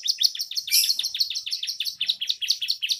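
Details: Young canary in full song with bar-winged prinia fill; fast, high, repeated chirping notes delivered several per second, mixed with buzzy trills, continuous throughout.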